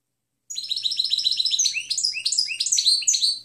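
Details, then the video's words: European goldfinch delivering clean song (canto limpio) for bird training: a continuous three-second run of quick, bright twitters and short down-slurred notes, steady and lively throughout. "Canto del Jilguero Limpio Chant chardonneret"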